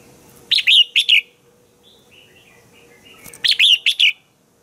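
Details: Red-whiskered bulbul morning song meant for training other bulbuls: two bright phrases of three rapid, rich whistled notes, separated by softer, quieter twittering in between.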